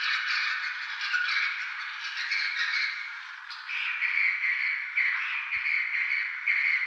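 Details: Chorus of swiftlets at Tambunan: continuous scratchy twittering with overlapping buzzy notes, a brief dip midway, then renewed chatter.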